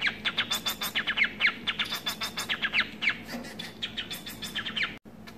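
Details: Domestic society finch, a pet munia hybrid, chattering in rapid trains of harsh, buzzy chirps, dense bursts of about four notes a second, with a constant low hum behind and a brief click near the end.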